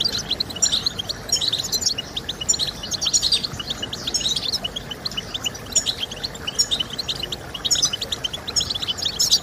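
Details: Goldfinch song meant to encourage caged birds to sing, a bright, fast stream of sharp chirps and liquid twitters in loud bursts over constant background hiss.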